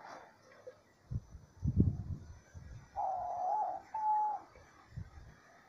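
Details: Diamond dove song in nature: two soft, drawn-out coos, the first wavering and the second steady, after some low thumping sounds at the start.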